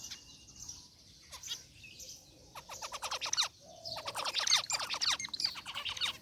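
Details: Caged zebra finches, a mixed flock including a rare white bird, chatter in an aviary, starting quiet, then bursting into rapid, crowded ticking chirps and short buzzy notes that grow louder toward the end.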